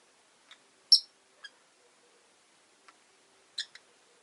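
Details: Short, piercing high chirps from caged Rosy-faced lovebirds, five birds kept indoors by a window. One loud squawk is followed by softer single notes and a closing double chirp, with silent gaps between.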